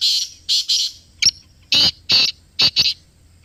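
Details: Black francolin, or kala teetar, calling in Pakistan, recorded up close: harsh, buzzy notes in tight groups, first a pair, then a sharp clipped note, then two more pairs, spread over about three seconds with no other clear sounds.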